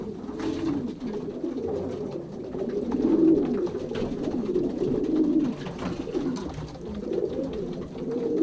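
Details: Racing pigeons in a young birds' loft during the 2023 pairing season, Pruszków section, Poland: a dense, continuous chorus of low overlapping coos from many birds, with soft rustling in an indoor space.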